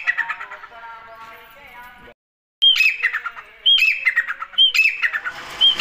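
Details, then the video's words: A desi (grey) partridge gives a harsh, nasal call, a brief pause, then three squawky notes about a second apart, each opening with a sharp high whistle and falling away. "دیسی تیتر کی اواز"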